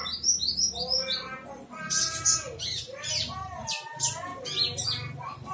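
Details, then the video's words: Bar-winged prinia song in the ciblek semi style, matched against another bird: quick squeaky chirps and sharp high notes in bursts, with harmonic, buzzy phrases and short pauses over a low steady hum. "Tembakan burung ciblek semi vs konin trotol"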